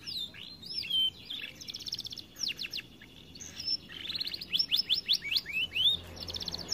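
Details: Canary, a caged aviary bird said to sing little because it is overweight, delivering high whistled notes mixed with fast buzzy trills and rapid repeated downslurred elements.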